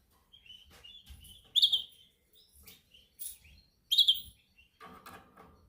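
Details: Domestic canary singing during song training, practising to perfect its song: short high chirped notes and brief trills, with two loud sharp bright bursts about two seconds apart.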